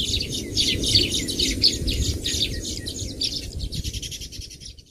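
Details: Baya weaver birds outdoors giving rapid, bright chirps and twitters repeated several times a second, a continuous busy chatter over a soft low background hum.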